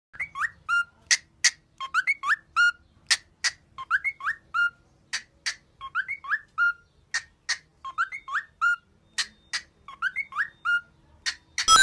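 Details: Cockatiel song offered as a cheerful training song: a looping phrase of sharp broadband chips mixed with clear rising whistled notes, each phrase ending on a steady held whistle, repeated roughly every two seconds for twelve seconds.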